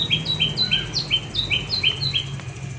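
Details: Green leafbird lure 'tembakan' call, used to provoke silent leafbirds into singing: a rapid series of sharp, high whistled notes, each topped by a brief slurred upper note, about three per second, over a low background hum.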